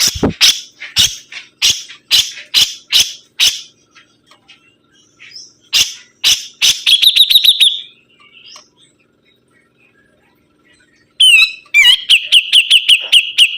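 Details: Sibuntung bird singing actively: a series of loud, evenly spaced sharp notes, then a fast buzzy trill, a pause, and finally a rapid chattering trill of high notes with slight upward flicks; no other sounds.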